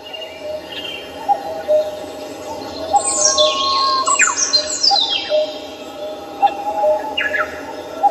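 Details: Birdsong at Samcheong Park in Seoul: a burst of bright, falling whistled phrases around the middle, over low, evenly spaced short notes that continue throughout.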